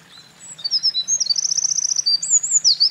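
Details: At a mountain pass on 28 April 2024, a Eurasian wren that had been carrying nest material sings hard. Thin whistles build into a long, fast, even trill, then swooping high notes, over a faint low hum.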